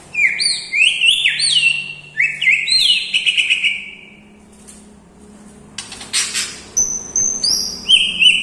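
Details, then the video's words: White-rumped shama with a song full of lovebird, kapas tembak and cucak jenggot imitations, giving rising slurred whistles in stepped upsweeps, a quiet gap with a harsh burst, then high chirps and a short trill. "MURAI BATU MEWAH ISIAN FULL LOVE BIRD,KAPAS TEMBAK,CUCAK JENGGOT"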